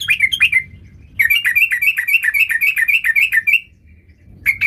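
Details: In 'gacor' full-variation style, a sooty-headed bulbul gives a few chirps, falls silent for half a second, then pours out a fast series of downslurred notes before another short pause.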